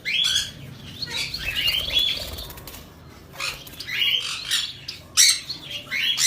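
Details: Hokomo budgerigars chatter in quick, scratchy warbles and chirps, with bursts of wing flutter.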